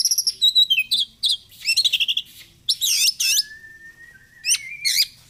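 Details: Oriental magpie-robin delivering rapid 'gacor fighter' song, meant as therapy for birds that seldom sing: fast clusters of bright chirps and warbles, loud looping phrases, a sustained flat whistle, then more sharp notes.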